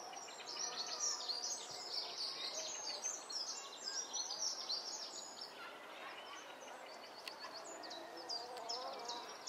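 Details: Egyptian goose goslings, three together accompanied only by their mother, on 17 June 2012, keep up a dense chatter of high, thin peeps, briefly easing midway, against steady outdoor background noise.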